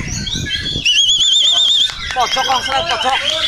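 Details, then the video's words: White-rumped shama song used as training material for singing contests: a loud, wavering, quavering whistled trill held for about one second, then rapid varied chirps and down-slurred notes, with dense overlapping chatter throughout. "masteran LOMBA MURAI"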